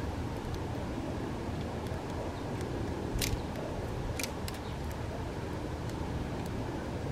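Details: Low continuous background hum in Toronto, broken by a few sharp clicks, with no bird calls heard.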